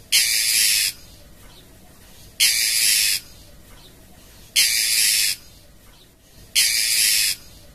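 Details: Female oriental magpie-robin calling the male: harsh, hissing rasps, each under a second long, repeated four times about every two seconds over a steady background hiss.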